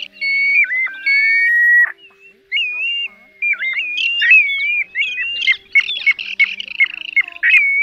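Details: Mixed plover calls compiled to lure birds into nets at night, August 2024. A long level whistle with a downward dip opens, then wavering slurred whistles and clusters of quick chattering notes with repeated short drops.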